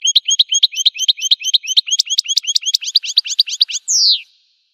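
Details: American goldfinch, wild, pouring out a continuous rapid trill of high chirps for nearly four seconds, ending with a single downward-sliding slurred note. No other sounds.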